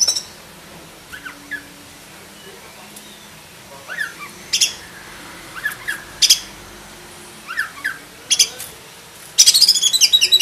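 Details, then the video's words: Oriental magpie-robin, black-breasted form, giving scattered short whistles and rising notes, then a dense rapid chattering burst at the end, over background hiss. "KACER DADA HITAM ISIAN FULL ISTIMEWA"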